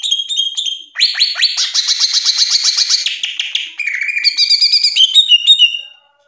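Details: Greater green leafbird, a caged bird kept for song training, delivering a loud, varied high-pitched song: fast repeated buzzy notes, then clear whistled phrases and sliding tones, with a brief rattling trill near the start.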